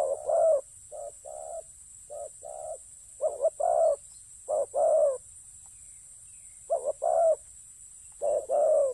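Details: A spotted dove from decoy ground hunting coos in deep, rounded notes: soft short pairs followed by louder two-part phrases, separated by brief pauses, under a continuous thin high hiss.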